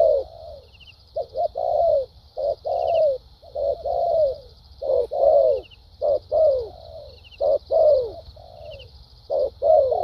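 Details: Trained decoy spotted dove singing thúc gù and lèo dặm cooing patterns: strong low coos alternating short clipped notes with longer downward-bending ones, delivered in uneven groups, over a steady high buzzing backdrop.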